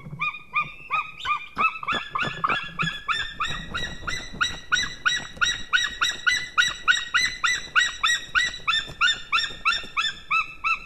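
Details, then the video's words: White-tailed eagles at the nest during nest building and mating on 6 March 2016, giving a fast, regular series of sharp yelping notes, about three per second, that continues for the whole stretch with a faint low rumble underneath. "merikotkas HomeworkAndMating"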